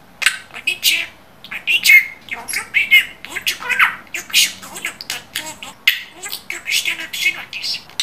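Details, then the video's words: Budgerigar mimicking human speech, a continuous run of scratchy, squawky syllables at roughly one per second, chattering without pause. "İNSAN KADAR NET KONUŞAN MUHABBET KUŞU"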